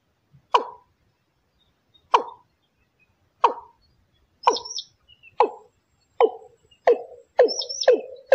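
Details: Watercock lure call used for trapping: deep, hollow plopping notes repeated roughly every one to one and a half seconds, each a short low thump with a quick fall, with faint high squeaks between some notes.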